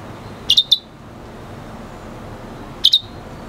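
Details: Red hooded siskin and canary F1 hybrid singing: two brief pairs of sharp, high chirps about two seconds apart, with quiet background hiss between them.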